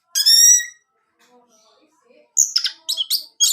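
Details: Orange-headed thrush song used to make a caged male sing: one rich harmonic whistled note, a quiet gap, then short high chattering phrases.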